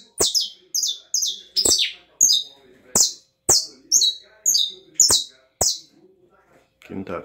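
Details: Canary in estralado song style: a series of sharp, high descending notes repeated about twice a second, each preceded by a click, ending with a brief human voice.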